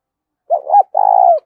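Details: Close, loud coo from a caged decoy spotted dove luring wild birds: a short rising-and-falling double note, a brief pause, then a long even burry coo; no background noise.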